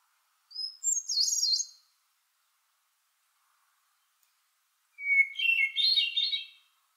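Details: Hermit thrush, a shy brown and white bird of far northern forest understories, singing in summer: each phrase opens on a pure sustained whistle, then breaks into quick swirling higher notes; two phrases about four seconds apart, otherwise silent.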